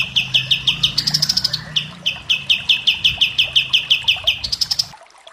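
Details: Common iora singing rapid rhythmic trills of bright repeated notes, about three per second, broken by short higher buzzy phrases, with a faint low hum beneath.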